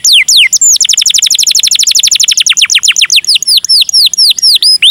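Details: Canary in the cengkok mewah singing style, used as a lure for other canaries. A few steep downslurred notes lead into a long, rapid trill of falling notes that gradually slows into looping whistles.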